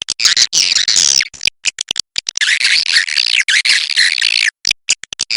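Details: Busy, harsh twittering of cave swiftlets in long rasping bursts, interrupted by brief clicks and silences.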